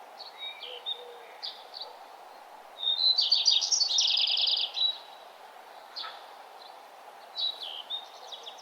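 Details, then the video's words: Morning chorus along a nature trail at sunrise: scattered sharp chirps around a loud, rapid, pulsed high trill of about two seconds, then further brief calls. "birds singing and the sun arising"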